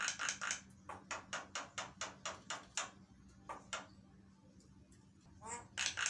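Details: A Javan myna in full song gives a fast run of harsh, raspy chattering notes, about four a second, pauses, then resumes; used as a lure call to draw responses from other mynas; low electrical hum underneath.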